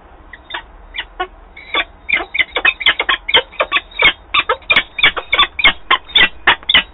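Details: Female peregrine falcon returning to the nest in Wałbrzych, Poland, recorded 26 April 2022: a rapid, harsh, chattering series of loud calls, sparse at first then quickening to several per second.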